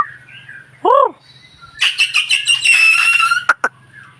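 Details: A white-rumped shama gives one arched, slurred whistle. A rich, buzzy, loud warbled burst follows, ending with two sharp clicks over a faint low hum.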